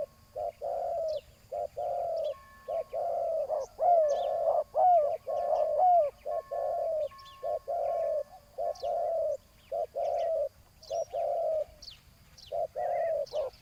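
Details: Decoy luring of a rival spotted dove on the ground: long run of soft, somewhat distant hollow coos at roughly one per second, a few louder downward-slurred notes in the middle, faint high chirping and a thin steady tone behind.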